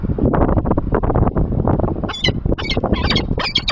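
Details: Peregrine falcon, a male taking over incubation in the morning, recorded on 30 March 2023. After a stretch of heavy low rumbling noise, a series of harsh, harmonic, repeated calls comes in quick bursts during the second half.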